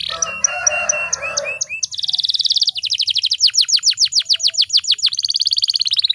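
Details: Atlantic canary female calling to stir males into song: opening mix of high whistled notes over a low hum, then a buzzy trill and a long series of rhythmic downward sweeps ending in a rapid trill.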